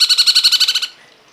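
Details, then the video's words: Cungkok giving a rapid rattling trill of about eleven evenly spaced ringing high pulses that stops abruptly after under a second. "masteran burung cungkok"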